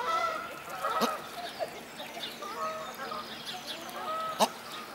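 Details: Couple of South African shelducks kept at a German bird park in Walsrode, 2015, giving short, nasal honks and a few drawn-out harmonic calls, with sharp clatters and distant bird chatter behind.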